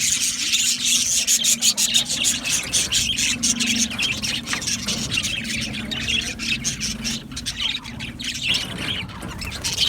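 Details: Group of budgerigars chattering for a lonely pet budgie: steady, busy high twittering with rapid clicky notes and scratchy squawks that never stop through ten seconds.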